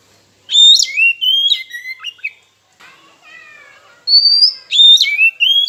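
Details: Oriental magpie-robin singing as a lure meant to stir rivals and silent birds into song: ringing whistled notes that slide and leap, a softer chattering passage in the middle, then another bright whistled phrase.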